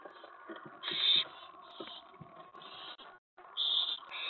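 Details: Owl begging at the nest late on May 15, 2017, around prey delivery: loud rasping hiss bursts with scraping rustles between, a short silent break, then strong hisses resume.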